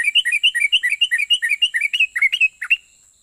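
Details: Sooty-headed bulbul giving its rapid, long-running song that provokes other bulbuls to answer. Quick alternating high and low whistled notes, about seven per second, in one steady stream that ends in a few looser notes.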